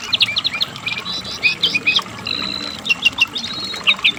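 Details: Asian brown flycatcher singing hard, kept as a tutor sound for caged songbirds: quick high chirps in short bursts, one long level thin whistle, then scattered sharp squeaky notes.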